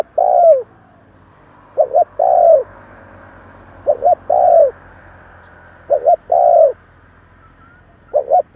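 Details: Spotted dove call in the kích bổi style for stirring newly caught birds. Steady phrases of two brief hoots and a long falling coo come roughly every two seconds over light background hiss.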